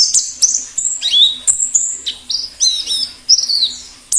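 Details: Plengi ngalas singing of a wild white-eye, played to prompt song and lure wild birds: sharp high chirps mixed with twisting slurred whistles, delivered in uneven quick bursts over faint background noise.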